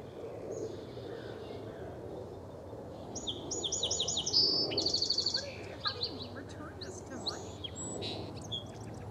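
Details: Song sparrow in a song type matching experiment, where matching is an early threat signal, sings clear opening notes, a fast rattling trill, then buzzy closing notes; scattered chirps and low rumble follow.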